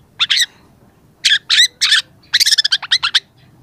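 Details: Young long-tailed shrike in full song, used as a training recording for other shrikes: harsh buzzy bursts in a few separated groups, then a rapid stuttering series of short scratchy notes.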